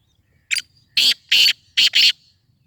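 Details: Black francolin calling loudly: a harsh, grating phrase of one short note followed by four loud rasping bursts in quick succession, with a faint thin whistle trailing between them, quiet background.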